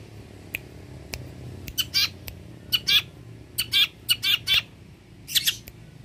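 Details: Long-tailed shrike, a mimic of many birds, in full voice for training cage birds: bursts of harsh, scratchy squawks in clusters of two or three, separated by quiet gaps and faint ticks.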